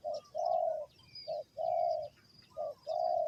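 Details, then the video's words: Spotted dove giving its call, linked to bird trapping: clear low coos in pairs, a brief note then a longer steady one, repeated about every 1.3 seconds. Quiet background hiss and soft high chirps from other birds. "The Sound Of A Spotted Dove"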